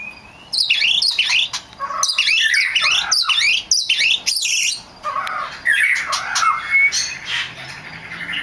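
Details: Oriental magpie-robin (kacer) lure song to trigger singing in other birds: loud, harsh, rapidly repeated squawking phrases with buzzy downslurred notes, followed by softer varied warbles.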